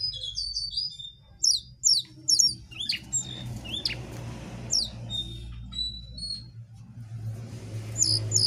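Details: Jongkangan in vigorous, full song: bursts of high, sharp upslurred whistles and chips, some notes doubled, with quieter gaps between phrases and a low steady hum underneath.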